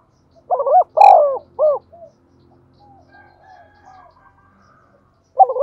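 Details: Spotted dove kept as a decoy bird, singing in the thổ voice style and quick to call: a cooing phrase of low, rounded hooting notes, a long coo then a short bent note, with a second phrase starting at the end.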